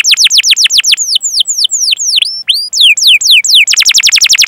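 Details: Canary 'gacor' song meant as a lure for other canaries. Quick falling chirps slow into long drawn downward sweeps and looping notes, before a sudden dense, buzzy fast trill closes the phrase.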